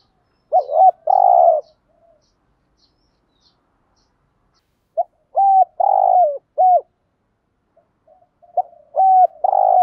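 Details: Spotted dove used as a decoy, cooing in the 'thúc gù' style with a native-type voice: groups of two to four mellow low coos, some notes bending up and down, separated by silent gaps of several seconds.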